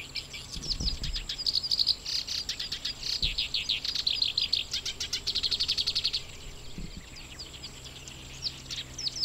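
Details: A black-browed reed warbler, incubating eggs with chicks due soon, sings in grassland at Watarase Retarding Basin: a fast, unbroken chatter of high scratchy and sweeter notes for about six seconds, with a few low wind thumps.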